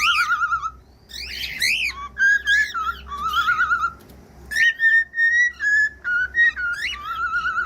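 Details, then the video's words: Cockatiel whistled song for teaching other birds: wavering whistles and rough chirps at first, then a long run of clear, evenly spaced whistled notes of varying pitch. "CANTOS DE CALOPSITA"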